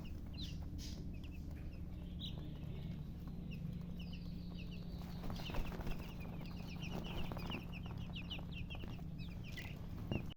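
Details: Baby chicks chirping amid handling noise, thin high peeps scattered and partly masked by rustling and thumps, with a steady low hum in the background.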